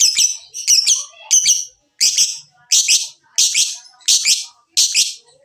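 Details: Lovebird sounds played to get lovebirds singing: grating, buzzy high squawks, first in quick doublets and then single, about one and a half each second.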